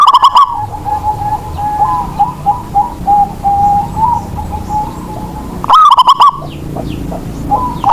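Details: Local Indonesian zebra dove kept as a lure bird, singing to prompt other doves to sing: a loud bubbling coo phrase of rapid staccato notes opens the recording and returns near the end, with softer continuous warbling and rural background between.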